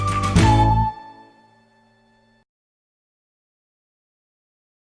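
A brief musical chime rings out and fades, followed by silence; no animal sound.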